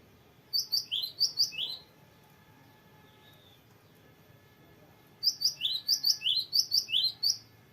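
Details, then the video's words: Gelatik batu, the cinereous tit, delivering a long rolling song: a fast string of high, sharp, downslurred double notes, then a pause and a longer second run of the same ringing pattern. "GELATIK BATU GACOR NGEROLL PANJANG BERVARIASI"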